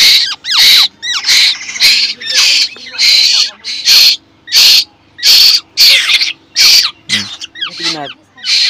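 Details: Begging from a hungry Asian koel chick kept in captivity, shouting to be fed. A long series of loud, grating screech bursts runs almost continuously, about a dozen in nine seconds, while its keeper speaks over them.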